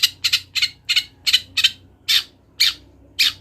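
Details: Wild long-tailed shrike in full voice: nine harsh, grating, broadband squawks, the first ones paired in quick doubles, then single rasps spaced about half a second apart, over a faint low hum.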